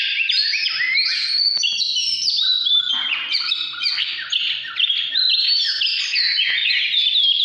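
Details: Oriental magpie-robin in full 'căn lửa' song, recorded 2017: loud, continuous cascades of high whistles, stepped note jumps and buzzy trills delivered rapidly with hardly any gaps.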